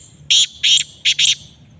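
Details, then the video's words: Black francolin calling: a loud, harsh, buzzy phrase of four grating notes, two longer notes followed by a quick closely spaced pair, all within about one second, over a quiet background. "کالا تیتر کی آواز"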